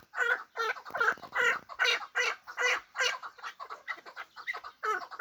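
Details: Hybrid fighting partridge giving a run of loud, clucking chuck notes in fast rhythmic series, about two to three per second, each note harsh and mid-pitched, with slightly softer, quicker notes toward the end.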